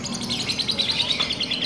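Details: Caged lovebird at a contest delivering a long ngekek trill, a rapid string of sharp, high, evenly spaced chirps sustained throughout, with faint music behind.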